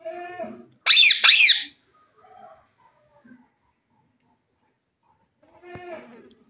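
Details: Pet green Indian parrot with a desi parrot voice, kept as a companion: a loud, harsh double screech, framed by softer harmonic, voice-like sounds at the start and end.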